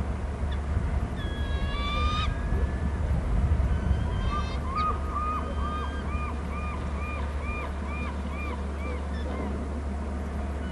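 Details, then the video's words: Bald eagles on Hornby Island call between the nest and the territory. A few high harmonic whistles come first, followed by a rapid chatter of about ten short, arched, piping notes, roughly two per second, over a low hum. "hearing eagles call; from the right one to nest and other to wa cam"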